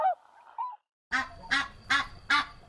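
A goose gives four loud, harsh nasal honks about half a second apart, after a brief spoken word at the start.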